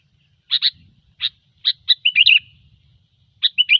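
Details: Sooty-headed bulbul in gecor style, used as a trapping lure: sharp high chirps repeated at uneven intervals, then a quick bubbly warbled phrase, and another chirp-led warble at the end; quiet background.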